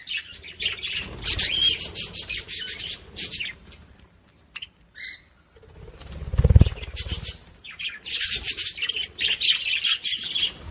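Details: Budgerigar chatter to stimulate other budgies: rapid, scratchy, rattling phrases that pause briefly, with a couple of clear chirps in the gap, then a dull thump and more chatter.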